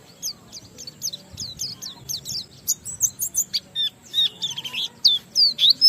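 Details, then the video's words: Oriental white-eye singing in a lively stimulating style meant to prompt other white-eyes to sing, with high thin whistled notes and rapid twittering phrases, some descending slurs, in quick irregular bursts. "Burung Pleci Gacor NGALAS Isian sambung Riwikan Materi Ampuh Merangsang Semua Pleci langsung Gacor"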